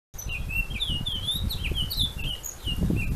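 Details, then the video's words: Caged common chaffinch kept at home, singing a quick string of bright whistled and chirping notes, some sliding up or down, with a few higher squeaky accents, over a steady low rumbling background noise. "TENTILHÃO DOMÉSTICO"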